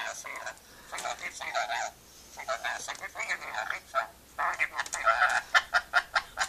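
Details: Indoor pet rainbow lorikeet chattering playfully, scratchy buzzy phrases that end in a fast series of sharp, evenly spaced clicking notes.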